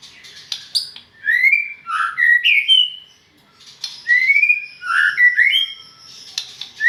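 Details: Song of a white-rumped shama, Medan: two bursts of rich whistled phrases separated by a short pause, each mixing rising slurred whistles with sharp high clicks and brief chattering accents.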